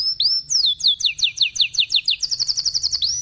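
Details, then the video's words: Canary delivering a long, lively song: a high whistled opening slide, then fast rolling trills of bright repeated notes that quicken into a dense chattering run, ending with another sweeping whistle; faint low background hum. "kenari Cuit cuit gacor panjang"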